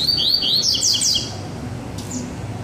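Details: Baderna-style song from one of two Double-collared Seedeaters: a fast run of high rising chirps and slurred notes during the first second, then fading to background murmur with one faint note near the end.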